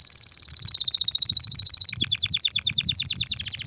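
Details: A mighty canary's tweet to prepare females for mating: a steady high rapid trill that breaks into faster descending chip notes, with faint low rumbling underneath.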